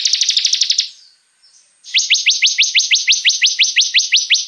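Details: Bar-winged prinia delivering its rapid 'tembakan' song, for luring and tutoring other songbirds: a short high trill, a pause, then a steady run of about sixteen sharp upward-flicking notes repeated several times a second.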